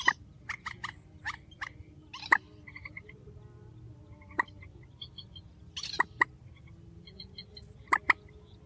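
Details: Grey-headed swamphen giving strong calls in a spliced sequence: sharp clicking pulses in quick runs and spaced singles, with short nasal honks between, over a low steady hum.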